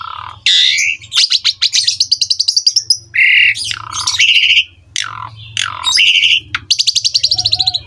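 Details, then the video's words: Rich song of an Asian pied starling for training young birds: raspy calls alternating with rapid pulsed trills and loud harsh squawks, and a faint low hum behind. "MASTERAN BURUNG JALAK SUREN GACOR FULL ISIAN MEWAH MUDAH DITIRU OLEH JALAK SUREN MUDA"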